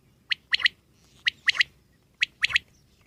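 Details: Wild common quail giving sharp, clipped three-note phrases: one short note, a brief pause, then a quick pair. Each phrase repeats about once per second, three times, over a faint low background rumble.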